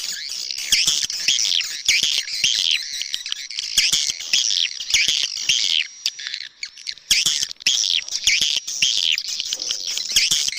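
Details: Edited swiftlet lure call used outdoors in Kota Kadindi Barat to draw birds: dense high twittering and chattering chirps, continuous and overlapping, with a brief quieter gap midway and sharp clicks throughout.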